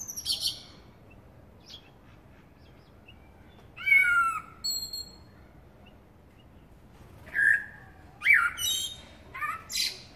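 A Eurasian blackbird sings short, fluty phrases with pauses between, each ending in higher squeaky twitters, over a quiet background.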